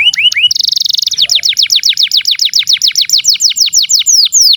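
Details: Canary in full, long-running song used to coach young or non-singing canaries: a few upslurred chips, a dense buzzy rattle, then a long rapid series of clear downslurred whistles at an even pace.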